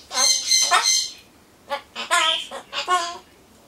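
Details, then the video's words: Caged pet Solomons corella chattering while waiting for pumpkin: a long harsh squawk, then four short nasal speech-like syllables in a quick run, all in a quiet room. "ソロモンオウムたろちゃん カボチャを待ってる間のひとり言"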